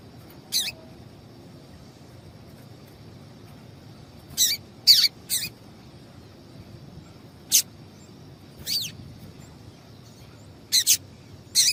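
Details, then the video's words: Female double-collared seedeater giving calls meant to stimulate males; brief high chips with downward-sweeping tails, scattered irregularly, some in quick pairs, against faint constant hiss. "Piado de Fêmea de Coleiro para Esquentar Coleiro"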